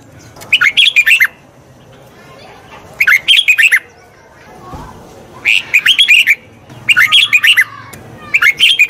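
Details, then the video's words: Red-whiskered bulbul song, recorded for voice-training a wild-caught bird: four bright, warbled phrases of quick rising and falling notes, each about half a second long, separated by pauses of roughly two seconds, over a quiet background. "Tiếng chào mào luyện giọng chim bổi. นกปรอดหัวโขน"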